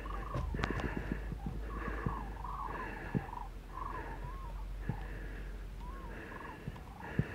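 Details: The last flock of common cranes passing north over Arroyo Culebro, between Pinto and Getafe, in Parque Natural del Sureste, on a 21 February afternoon: many overlapping bugling, rolling calls, some rising and falling, over constant low wind noise and occasional knocks.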